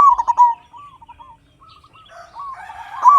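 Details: Local Indonesian zebra dove in vigorous song, meant as a lure for caged doves: an opening run of fast staccato coos, then quieter drawn-out cooing notes, ending with a fresh loud phrase.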